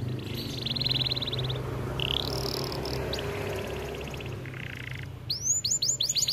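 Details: Canary of the white AF type giving buzzy trills and short rattles partly masked by steady noise, ending with a clear burst of quick upward-hooked chips.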